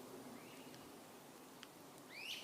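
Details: One of two great crested flycatchers calling near a trail on 16 July 2022 gives a fainter upslurred note, then a loud, rising whistled wheep; soft background hiss.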